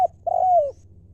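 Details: Spotted dove decoy bird of wild stock in 'lio' call style: a clipped note followed by one drawn-out, soft hooting coo that slides slightly downward, with a faint low background hum.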